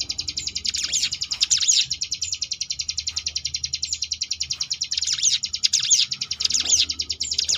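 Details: Sunda bush warbler (ciblek gunung) in ngebrem variation, recorded as training material for contest birds: a continuous fast high rattle, with clusters of swooping whistled notes around one to two seconds and again from five to seven seconds.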